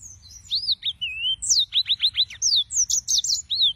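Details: Yellow-fronted canary producing a rapid, bright song of rising whistles, a series of quick down-slurred notes and dense high twittering.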